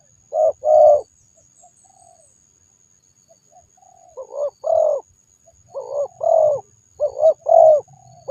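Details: Spotted dove cooing repeatedly, mellow low hooting phrases grouped in twos and threes with brief pauses between, the notes soft and rounded, over a quiet background with faint low rumble.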